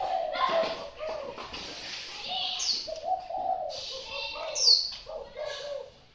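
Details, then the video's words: A Thai-type spotted dove giving low, soft, hollow coos in short phrases, with higher chirps from other small birds in the background. "Cu gáy Thái"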